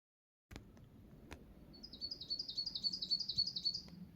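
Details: Wild bird singing in low mountains of Saitama, Japan: a rapid, even series of about fourteen high, sharp notes over two seconds, after a few scattered clicks, with faint low rumble beneath.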